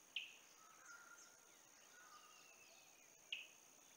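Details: Olive-backed sunbird, with a female and a male present, at Kingfisher Park Lodge in Julatten, far north Queensland, on 17 December 2022: two sharp, high chirps about three seconds apart over a steady insect hum and faint whistles from other birds.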